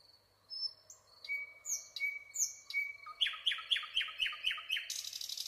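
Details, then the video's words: Nightingale song with slurred high whistles and a low steady tone, then a rapid accelerating series of loud identical chirps, about four per second, ending in a dense buzzy trill. "nightingale singing"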